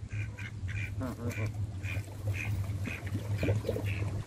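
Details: Canada geese being hand-fed give short, nasal, honking calls about every half second, several birds overlapping, over a steady low rumble.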